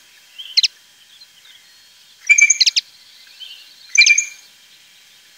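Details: European goldfinch, common on the La Mancha plain around Tablas de Daimiel and Villarrubia, Spain: clusters of high, liquid twitters and quick double ticks spaced a second or two apart over quiet background.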